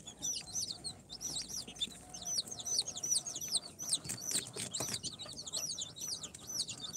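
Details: A group of incubator-hatched chicks on their fourth day, mixed Sultan, Golden Sebright, Cochin and booted breeds, giving rapid overlapping high-pitched peeps, each a short rising-then-falling whistle, with light tapping and rustling below.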